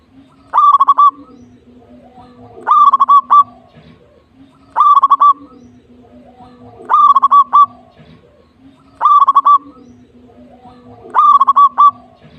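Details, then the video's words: Local zebra dove in full song: six near-identical phrases, each a quick burst of stuttered, trilled coos, repeat steadily about every two seconds over a faint low hum. "Perkutut Lokal Gacor"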